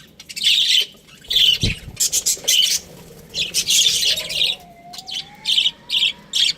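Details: Budgerigars of an Australian breeding pair giving short bursts of harsh high chirps, with a thin sliding whistle-like tone heard midway.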